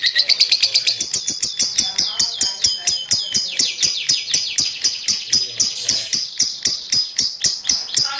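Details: Champion lovebird singing a fast series of sharp, high chirps, about two or three a second, each sliding slightly downward, forming a steady, ringing chatter with no other clear sounds.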